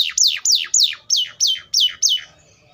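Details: Atlantic canary singing a rolled phrase of seven high descending whistled sweeps, each repeated about every third of a second and fading at the end.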